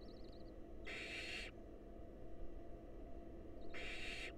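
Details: Wild barn owls at a nest box, the female feeding a nestling a mouse brought by the male: two harsh, breathy screech bursts nearly three seconds apart, with a faint wavering whistle before each.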